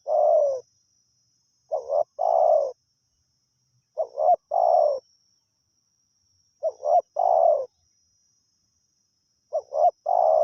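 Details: Wild spotted dove heard while being lured with a decoy; its phrases of two or three quick clipped notes lead into a longer soft coo, repeated roughly every two to three seconds with silent gaps between.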